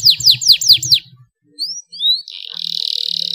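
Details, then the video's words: Canary with a clear, ornate song, used to spur other canaries to sing; a few loud downward-swooping notes, a pause, thin rising whistles, then a sustained rapid buzzy trill. "KENARI GACOR ngeroll panjang cengkok mewah suara jernih buat pancingan kenari males bunyi"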